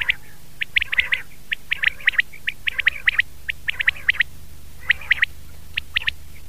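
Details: Common quail, known locally as batair, recorded in 2019: sharp, high, clipped notes repeated in loose clusters of two or three, about one a second, over a low steady hum.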